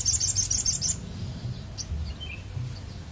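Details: Crested jay, a bird-luring recording: a quick, high, rattling trill of closely spaced notes lasting about one second, followed by a few faint isolated chirps over low background noise.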